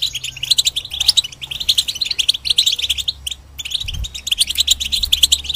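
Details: Caged European goldfinch singing a fast, continuous twitter of sharp high chirps and buzzy trills, with a brief pause near the middle before the rapid warbling resumes.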